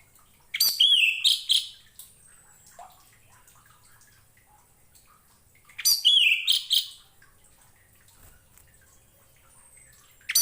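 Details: Orange-headed thrush song meant for training other birds: two short phrases of sweet slurred whistles and harsh buzzes, about five seconds apart, with quiet between.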